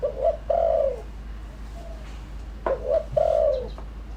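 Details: Spotted dove giving a lure call meant to draw in wild birds: two phrases of low, mellow cooing, each a quick paired coo then a drawn-out falling note, over a faint constant hum.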